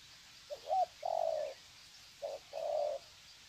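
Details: Spotted doves kept as decoys greeting one another with long coo sequences, Sê San, February 2020; two low paired coos, each a brief, slightly bending note followed by a sustained, even one, over faint hiss.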